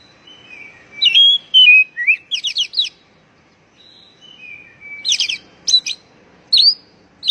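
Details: Oriental magpie-robin call, used to prompt stressed birds that have stopped singing: long thin falling whistles lead into bursts of rapid, scratchy, rising notes, the phrase given twice.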